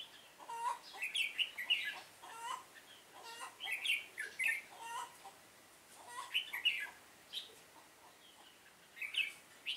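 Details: Fighting song of a decoy red-whiskered bulbul in a trap, Vietnam: busy, scratchy chirps and squeaky notes in irregular clusters, with some lower clucking sounds mixed in over constant outdoor hiss.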